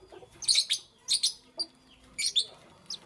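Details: Lovebirds in the morning give sharp, high chirps in short bursts of two or three notes, spaced by brief pauses over about three seconds, with a quiet background.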